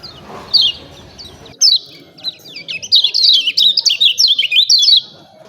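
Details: Lemon-bellied white-eye song used as a training recording to provoke birds to sing: a few sharp high chirps, then a fast run of thin, twittering, up-and-down notes in the second half.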